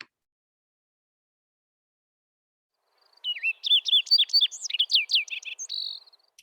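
A Thick-billed Fox Sparrow sings a fast, ringing three-second phrase of slurred whistles and sweet trills, with some notes doubled, after a few seconds of silence.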